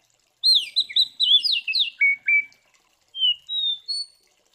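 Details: Oriental magpie-robin fighting song used to stir up other magpie-robins: a quick run of swooping whistles, two flat buzzy notes, then three thin sustained high whistles, over near silence.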